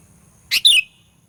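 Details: Sooty-headed bulbul lure sound for provoking rivals: one quick two-part note, a harsh burst followed by a bright, falling whistled slur.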